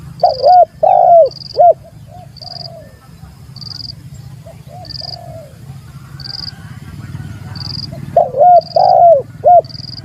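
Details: Spotted dove giving its rival-challenging call, a recording used as a lure: two bursts of husky, bubbling coos, one at the start and one near the end, with a quiet gap between; a steady thin high tone pulses regularly throughout.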